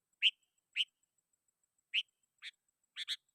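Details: Sooty-headed bulbul calling rivals, a lure recording for wild bulbuls: six short, clipped chirps, the first two spaced about half a second apart, then a pause and a closing double note.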